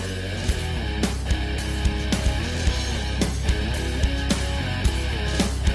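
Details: Loud rock music fills the recording: driving electric guitar and heavy drums with a steady beat of about seventy-three strikes a minute.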